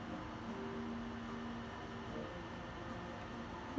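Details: Steady hiss with low, level humming tones and no animal voices.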